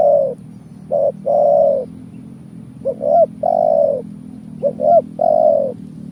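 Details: Lure call of a spotted dove for bird trapping, deep mellow cooing where brief clipped notes lead into a sustained coo, phrase after phrase at steady spacing, soft background drone.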